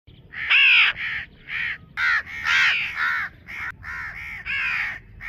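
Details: Young crow calling while its parents make loud noise outside: harsh, nasal caws in short bursts, roughly one every half second to second, some rising then falling, over a quiet background hum.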